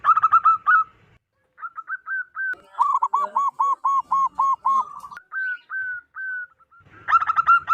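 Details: Strong-voiced wild local zebra dove, calling to lure wild doves: rapid rippling coos, then a long regular series of lower, evenly spaced notes. Lighter rising notes and another rippling burst follow.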